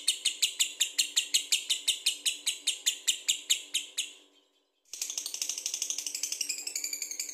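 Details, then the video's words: Lovebird ngekek chatter: rapid, evenly pulsed harsh high notes fading out around four seconds, a brief gap, then a denser, faster burst of buzzy chattering resumes. "Lovebird Gacor Bagus buat pancingan"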